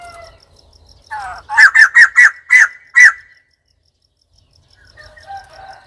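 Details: White-crested laughingthrush giving a burst of six loud, harsh, evenly spaced notes over about a second and a half, preceded by softer chattering and followed by faint chatter; a faint regular ticking runs in the background.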